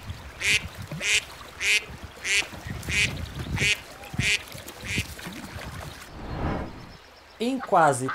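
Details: Ducks on a pond give a series of nasal quacks, roughly one every two-thirds of a second, for about six seconds; a different, sweeping sound closes the passage.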